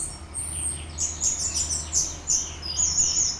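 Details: Lure recording of an orange-headed thrush singing to set off another bird: a short run of thin, very high chirps and trilled fragments, with a faint low hum underneath.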